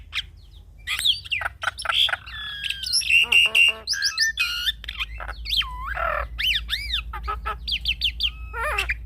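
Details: Javan myna song for masteran and pancingan training: a dense medley of squeaky whistles, slurred downward and arched notes, brief buzzes and chattering clicks, varied and continuous.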